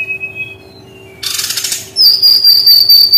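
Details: Brown-chested jungle flycatcher delivering 'tembakan' (shooting) style song: a faint whistle, a brief rushing noise burst, then a loud, sustained high piercing whistle with a slight warble, over a low steady hum.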